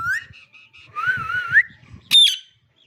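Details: Green parrot talking: a short run of clear whistled, wavering tones with harmonics, a louder rising whistle near the middle, then a sharp high squawk-like burst near the end, with faint low murmurs beneath.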